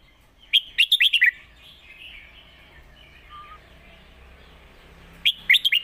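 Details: Competition Red-whiskered bulbul in a cage singing master song for young birds to learn; a brisk string of six or seven ringing whistles, a long quiet gap with faint chatter, then the phrase starts again.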